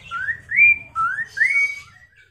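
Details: Chinese hwamei song intended to make other hwameis reply and sing: four clear whistles sweeping upward, paired in two quick sets, over a faint low hum.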